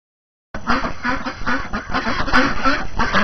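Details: Domestic ducks on a January morning after the first snow of the new year, hungry and tired of being cooped up, chattering with rapid, repeated nasal quacks in an uneven rhythm.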